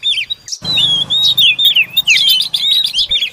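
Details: Oriental magpie-robin bringing food to its young: a brief pause, then a rapid stream of bright whistles, sweeping slurs and clipped chirps, with a soft low hum in the background.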